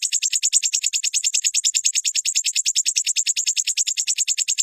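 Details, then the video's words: Crimson sunbird trill from a training recording for caged birds: an unbroken, high, rapid pulsed trill, steady in pitch and rhythm from start to finish. "Dalam hitungan menit burung sogonmu ikutan gacor dan ngeleper"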